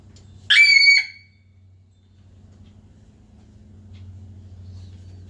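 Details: A blue-and-yellow macaw (Ara ararauna) outdoors in the morning gives a single loud, harsh squawk of about half a second, rich in overtones, followed by a steady low hum of background machinery.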